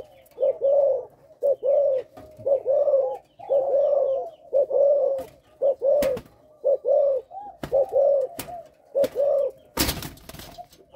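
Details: Caged young spotted dove from a Malaysian line, tested before sale and said to stammer over its first three notes, repeats low, hollow, rounded coos about once a second in paired phrases, with a sharp clatter near the end.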